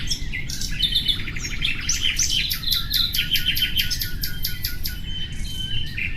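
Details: A nightingale's rapid staccato trills and ringing repeated notes form a busy, continuous song, with a soft, almost unbroken low rumble in the background.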